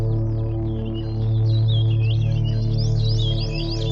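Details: Ambient electronic music with steady low droning tones, layered sustained harmonics and wavering, gliding high synthesizer lines; no animal voices.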